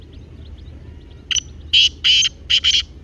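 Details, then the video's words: Partridge voice used to prompt another partridge into calling: a short lead note followed by three harsh, rasping double notes in quick succession, loud over a quiet background. "تیتر کی بہت ھے پیاری آواز"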